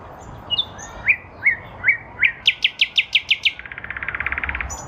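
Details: Spring 2023 nightingale song from a lilac bush: rising whistled notes repeated slowly, building into a fast run of about nine sharp notes, ending in a rapid dry trill, over low background hiss.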